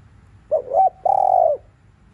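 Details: Spotted dove, afternoon, giving a 'thúc liu riu' coo meant to stir other doves: a wobbling short coo pair, a pause, then one prolonged even coo that sinks slightly at its close.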